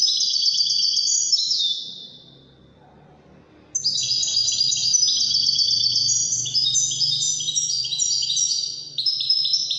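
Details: European goldfinch singing in the Wedani song style: dense, high twittering phrases of rapid chirps and buzzy trills, broken by a pause of nearly two seconds before the tinkling song resumes and runs on steadily.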